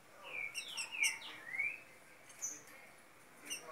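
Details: Two 7-month-old young Green-winged Saltators singing face to face: a few clear, slurred whistles, some rising and some falling, spaced irregularly over a few seconds, with fainter high notes and a quiet, steady background.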